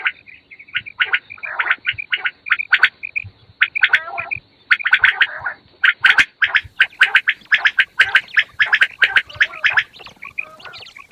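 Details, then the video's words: Morning calls of fat quails: a busy stream of loud, clipped chattering notes and gargling squawks, packed tightly in fast runs with brief breaks, several birds calling over one another. "The sound of fat quails morning 1quail sound موٹا بٹیروں کی آواز بہت صاف آواز"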